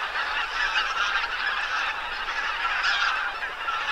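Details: Around 2,000 geese, with about 1,500 ducks, settled on the lake at the Ptasi Raj reserve in Poland in late autumn. They call without pause, a dense mass of overlapping nasal honks and yelps with no gap between voices.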